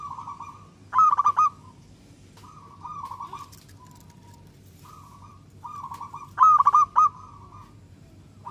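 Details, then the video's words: Local zebra dove singing to get other doves calling: two loud stuttered coo phrases about five seconds apart, with several quieter, even-pitched purring phrases between them and a faint low hum. "Perkutut lokal gacor suara super ampuh untuk merangsang perkutut cepat bunyi"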